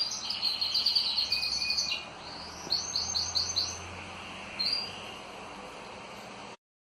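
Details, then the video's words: Pet canaries singing: a rapid stuttering trill for two seconds, then a short run of repeated whistled notes, one brief chirp, and a quiet hum beneath before the sound cuts off. "UM POUCO DOS MEUS CANÁRIO FAZENDO BARULHO!"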